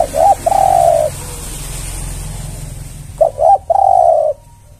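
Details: Spotted dove (tekukur) lure call in two bursts: a short note then one long, steady, low coo, repeated after a pause of about two seconds, with steady hiss in the background.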